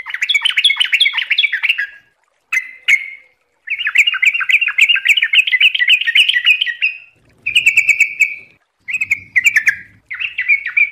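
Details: Yellow-vented bulbul in lively, bubbling song: fast runs of chattering, gurgled notes around a mid-high pitch, broken by short pauses, with a faint low hum in places.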